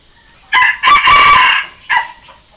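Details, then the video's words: Crowing of a red junglefowl decoy bird, meant to lure and provoke wild junglefowl: a short burst, a long raspy drawn-out note, then a brief closing syllable, with near silence around it. "เสียงต่อไก่ป่า เสียงไก่สำหลับต่อ"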